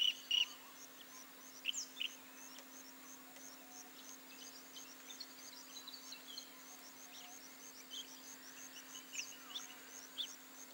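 Forest Kingfisher with a few sharp, high notes early on, then a steady wash of quick, thin chips and ticks from other small birds or insects over a low hum.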